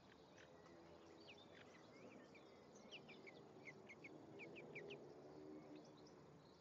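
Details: European greenfinch male and female at their nest on a May day; sliding high chirps and upward-flicked notes given in loose series, with a steady low hum and hiss underneath.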